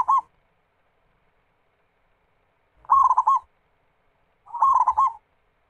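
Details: Local zebra dove singing as a lure for other doves: compact phrases of fast bubbling coos, each finished with a detached final note, repeating with long silent gaps between them.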